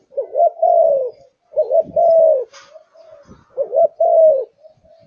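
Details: Malaysian zebra dove, a kept bird in fiery form said to sing from morning to night, giving three rolling cooing phrases, each a quick warbled start then a longer falling coo, spaced under two seconds apart.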